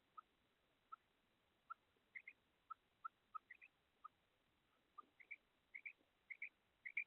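A female quail gives short, sharp, chirpy notes, single and paired, alternating lower and higher pitches at an uneven pace of roughly two per second, over quiet background.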